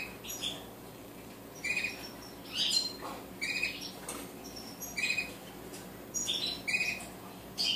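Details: Colourful hybrid goldfinches twittering: brief high chirpy bursts with tinkling metallic notes, recurring roughly every second or two over eight seconds, a soft low hum underneath and no other clear sounds.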